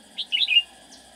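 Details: Red-whiskered bulbul kept as a decoy for trapping, a quick, frequent singer; one short phrase of three bright, warbled notes, the last rising and falling, over a quiet background.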